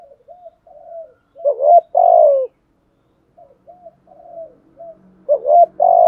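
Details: Spotted dove calling and urging coo to excite other doves: two phrases, each of soft low lead-in notes, then a stuttered double note and a long mellow falling coo. A faint low hum sits underneath.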